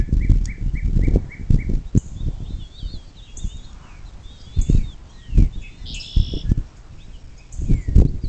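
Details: Bald eagle at a riverside nest near South Lebanon, Ohio, USA, early morning of 26 April 2024, captured by nest camera: five quick high staccato notes opening the recording, followed by knocks, rustling and distant songbird warbling.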